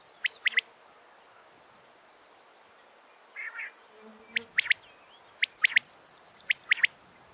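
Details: Common quail gives sharp, clipped notes in quick threes at irregular intervals, with thin high whistled chirps and faint buzzing between bursts, used as a calling sound to lure quails for trapping.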